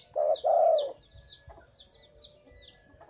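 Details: Spotted dove calling actively: two loud, low, hoarse cooing notes in quick succession, the second longer. Afterwards a smaller bird repeats high, thin, down-slurred chirps several times.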